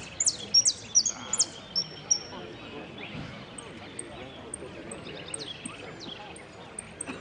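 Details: Contest singing by a saffron finch at Piran, 25/09/16: an opening run of rapid high descending whistles, then softer chips and repeated thin notes, with murmuring voices and background noise.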